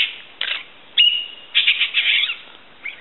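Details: Common green magpie at Fraser's Hill gives harsh, rasping chatters broken by a brief, clear whistled note, then a longer scratchy burst of chatter.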